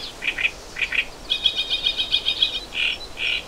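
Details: Hungry wagtail chicks calling for food from a nest hidden in green foliage in spring while a parent brings insects caught over water; high bright chirps in short pairs, then a rapid even run of repeated notes, ending with two buzzier chirps.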